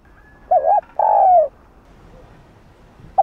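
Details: Spotted dove cooing to stimulate another dove to sing: one phrase of a short wavering two-lobed note followed by a longer, gently falling hoot, then quiet.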